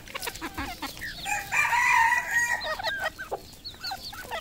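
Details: Red junglefowl, farm in Cambodia: quick high peeps lead into a sustained, harmonic rooster crow of about a second, followed by more scattered hooked chirps.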